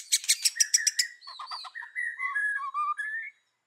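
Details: White-rumped shama in forest-voice style: a quick burst of harsh, repeated chattering notes, followed by clear, fluid whistles wavering up and down.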